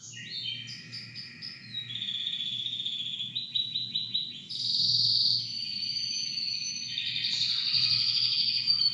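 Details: Canary in full song: a fast run of stepped, descending high notes, then a pulsed trill, giving way to sustained bright buzzy rolls near the top of its range that grow louder toward the end.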